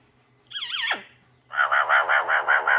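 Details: Pet female parrot indoors during its morning repertoire of talk and sounds: a wavering whistle that swoops downward, a short pause, then a fast run of about eight raspy pulsed notes, with a low steady hum behind.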